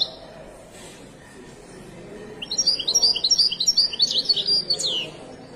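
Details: Moroccan goldfinch, widani song style: quiet at first, then a lively phrase of rapid high chirps and trills lasting about two and a half seconds, ending in a descending slurred note.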